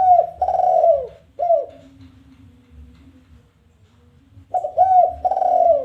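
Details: Challenging call of a spotted dove, 'kuk 1' type, played to draw other doves into calling. Soft hollow coos: a long throaty note and a short falling one, then quiet, then a fresh phrase of double, long and short coos.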